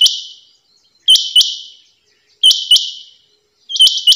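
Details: Rhythmic double calls of a female rain quail, each a quick ringing pair of high notes that trails off, three bursts in a few seconds against quiet.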